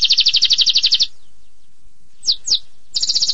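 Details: Canary song: a rapid trill of bright high notes, about twenty per second for one second, a pause, two downslurred whistles, then another fast trill begins.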